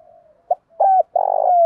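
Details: Spotted dove giving part of a cooing phrase: a faint low drawn note, a short tap, a bent hoot, then a long rough rolling coo that slides down at the end.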